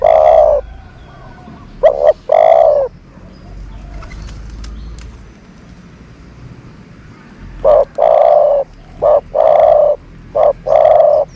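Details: Dove used as a decoy to attract other doves, repeating low cooing phrases of short clipped notes and longer rolling coos, one burst early, a pause, then a run of several coos near the end.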